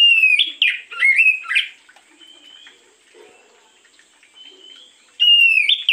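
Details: Oriental magpie-robin singing in the morning as a lure recording: loud, clear whistled phrases with sharp rising and falling slurs, a quiet pause in the middle, then a fresh bright phrase bursting in at the end.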